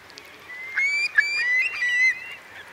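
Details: Eurasian curlew among about 3,000 roosting in wet meadows of Marquenterre, Bay of Somme, at high tide, 7 October 2021. Clear drawn-out whistles rise gradually in pitch, overlapping with a second bird's similar call.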